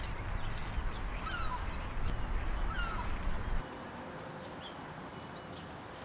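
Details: Bohemian waxwings on the Isle of Man give high, thin, bell-like trills, a short sirrr repeated several times, over a low rumble of wind or distant traffic that drops away halfway.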